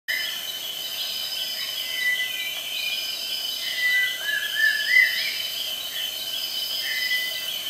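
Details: A rare, shy rufous-tailed shama (Trichixos pyrropygus) in Malaysia sings short, clear whistled phrases every few seconds, one rising and wavering, over a steady, high insect drone.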